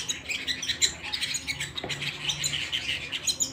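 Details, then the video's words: Canary singing inside a house, brisk twittering trills with sharp high notes, over a faint low indoor hum. "canary singing at home"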